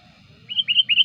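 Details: Sooty-headed bulbul lure sound, described as very lively and used to draw in wild bulbuls and as a model for training other birds; three quick, bright rising chirps in half a second over a faint low rumble.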